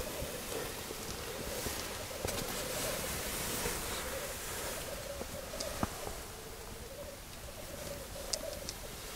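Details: Black grouse recorded from a hide during a weekend stakeout: a soft, continuous bubbling, wavering murmur that rises and falls steadily throughout, with faint clicks and rustles over a quiet outdoor background.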